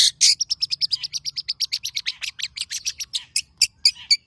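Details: Long-tailed shrike, a tame caged bird in full song, used to prompt other birds to sing: long fast string of evenly spaced high chips, roughly seven per second, with a few louder notes near the end.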